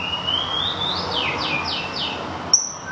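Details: White-rumped shama from Thung Song, Thailand, still finishing its molt, gives a softer rising whistle. Four quick downward-sliding notes follow, then one high, sharp whistled tone, against a steady background hiss.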